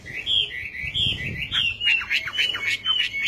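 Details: Chinese hwamei delivering repeated whistled phrases followed by quick, chattering descending notes, with some background rustling noise early on.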